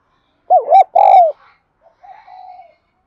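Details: Decoy spotted dove of the 'đồng son' type calling to draw wild doves in: a wavering hollow coo, then a long falling coo, then quiet trailing notes.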